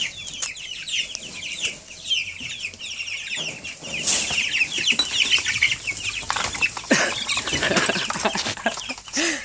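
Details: Flock of two-week-old Cornish Cross chicks crowding their keeper one morning, apparently hungry: continuous overlapping high peeping from many birds, growing busier midway, with scuffling, wing flutters and handling noises.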